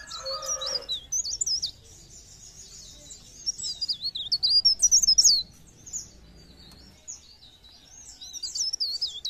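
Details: Pare pare bird lure song to make other birds sing: repeated bursts of high, quickly warbled zigzag twitters, with a brief lower tone at the start and a pause before the final run.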